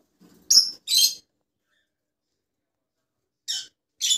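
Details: Rosellas in various colour mutations. Two harsh high chirps come close together, then a three-second pause, then two more similar short, scratchy notes.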